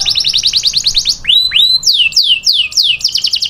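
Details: Male canary singing to a female: a very fast, high, even trill, then loud sweeping whistled notes that rise and fall in a repeated series of long descending slides.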